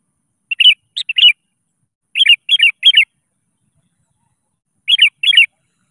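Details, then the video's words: A vocal sooty-headed bulbul calls rivals with lively song meant to coax other birds into singing. Clusters of rich, gurgling notes come in three bursts: one around the first second, a triple run after two seconds, then a pair near five seconds. "SUARA PANCINGAN.‼️ Kutilang Gacor Memanggil Lawan. 💯% Ikutan Gacor.."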